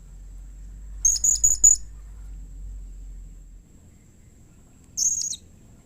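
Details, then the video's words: Blue-crowned hanging parrot call used to get other hanging parrots responding: a quick run of four thin, very high chirps, then after a pause one longer buzzy high note, low rumble fading in background. "SUARA Serindit Seperti Ini Paling Di Sukai & Cepat Di Respon Bikin Nyaut Semua Burung Serindit"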